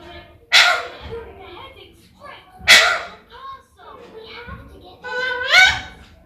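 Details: Pet rose-ringed parakeet talking, said to speak words such as "mian mithu" and "mama"; two harsh broadband bursts, then speech-like harmonic syllables, the last one sliding upward, over a quiet indoor background.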